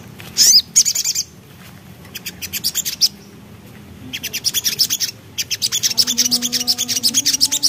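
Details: Javan black-capped babbler singing in the lively ngriwik style: bursts of rapid, very high, sharp chattering notes, a short shrill whistle near the start, then pauses between longer trains of clipped notes over a steady low hum.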